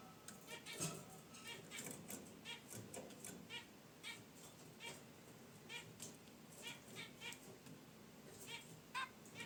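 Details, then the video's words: Pet zebra finches in a cage, relaxing beside their wicker basket nest, give a steady run of short nasal honking chirps, several each second, with soft rustling behind them. "Zebra Finches in Their Cage: Natural Chirps & Sounds"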